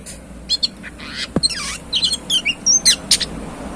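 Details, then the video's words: Very tame Oriental magpie-robin in full, active song: a varied run of clear whistles, slurred rising and falling notes and short sharp chips, over steady background hiss. "Burung kacer super jinah+gacor"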